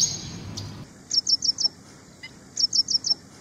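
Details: Ashy prinia singing two quick series of four sharp, high, evenly spaced notes, separated by a short pause, in a quiet setting.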